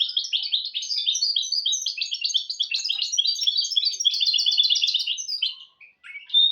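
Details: Goldfinch × canary hybrid (mule) singing, a song used to teach goldfinches and canaries: dense, fast twittering of bright chirps and trills running continuously, ending with a brief pause and a sharp upward note.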